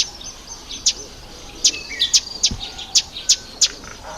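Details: Sharp, dry, very high ticks from Red bishops in the October–November breeding season. They repeat roughly every third of a second, with a few softer chirps between them.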